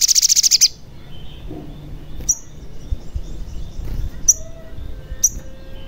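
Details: Sogon call used to prompt a caged or newly caught sogon to sing: an opening rapid rattle of high chirps, followed by three single sharp high notes about a second apart.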